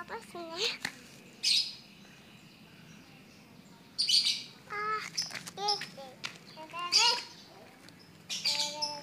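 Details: Tame white-vented myna, said to be able to talk, giving harsh, buzzy squawks and short chattering bursts in irregular clusters, some with rising harmonic notes, while a child and an adult talk quietly nearby.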